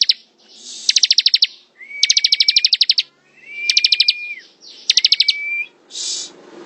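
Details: A bar-winged prinia, or ciblek, singing ngebren: four bursts of rapid high ticking notes, each paired with a short flat whistle, ending in a hissy noise burst.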